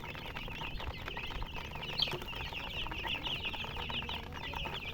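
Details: A flock of baby chicks giving constant high-pitched peeping, quick overlapping slurred notes at a fairly even volume, with one sharper louder chirp standing out and faint low background hum.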